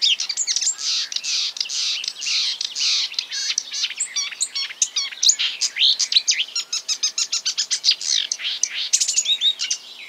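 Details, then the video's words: Marsh warbler imitating other birds in a long, nonstop medley of buzzy, scratchy phrases, high chirps and rapid clicking runs, changing constantly. "A marsh warbler (Acrocephalus palustris) imitating other birds"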